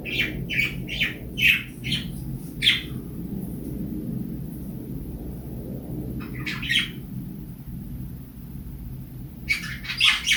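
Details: Cockatiel in morning song with budgies chiming in: runs of sharp, harsh squawking notes in quick succession, separated by quieter stretches of low background rumble before another burst of squawks near the end.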